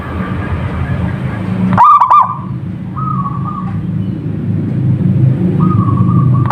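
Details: Zebra dove (perkutut lokal alam) giving a single sharp, rolling phrase early on, followed by short flat whistled tones, with heavy low-pitched rumble throughout.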